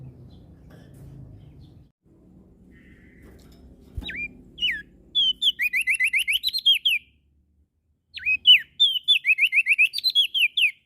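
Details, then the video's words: Lombok prinia, called prenjak daun, singing: after a few seconds of soft low rumble, one down-swept whistle leads into two bursts of quick, evenly spaced chirps, each burst lasting about two seconds. "Prenjak Daun NTB Gacor PAgi SIang MAlam Tetap Rajin Bunyi"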